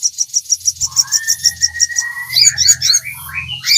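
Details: Sogon song used as a master recording to train captive sogon: very high, rapid chipping notes repeated in a steady series, then a long thin whistle rising gradually, ending in tangled twittering phrases with faint low hum beneath.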